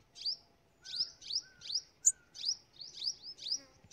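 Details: Tiny forest sunbird calling: a steady series of sharp, high, slightly rising chirps, about two per second, with one brighter tick midway and a faint lower whistle in the background.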